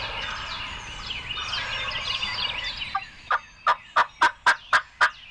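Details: Wild Turkey gobbling during spring 2020 turkey season in Illinois, a trio of young gobblers approaching hunters' decoys. After three seconds of dense songbird chorus comes a loud series of harsh, rolling bursts, about eight in quick regular succession.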